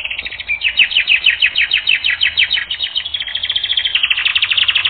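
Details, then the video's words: Canary on a training recording, singing rapid, repeated downslurred chirps about three per second, then shifting into a faster, even rolling trill. "Canary Training Record N°10"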